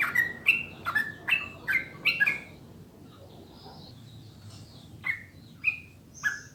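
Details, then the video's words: Sooty-headed bulbul master song for getting caged birds to sing: a quick string of crisp whistled notes, a pause of about two seconds with faint chirping, then three more clear whistles. "SUARA JERNIH PANCINGAN MASTERAN TRUCUKAN UNTUK BURUNG AGAR CEPAT BUNYI DAN GACOR"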